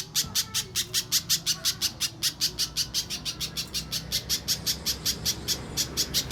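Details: Banana spiderhunter singing a clear mbeset-style song, used as a master recording for training contest songbirds: a steady series of sharp, high, identical chip notes repeated about two to three times per second, with a low background hum.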